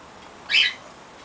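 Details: A female short-billed corella in her cage, busy with a foraging wheel toy, lets out one loud, harsh screech about a quarter second long against a quiet room hum.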